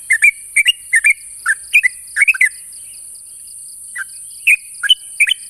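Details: Sooty-headed bulbul challenging a rival: clusters of two or three bubbly, slurred notes, then a quiet gap and a few scattered single notes, over a steady thin background hiss.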